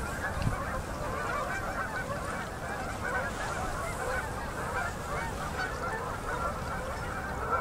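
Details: Canada geese flocks landing at sunset on a Manitoba river during October migration; an even, distant-sounding chorus of many honking birds without standout individual calls.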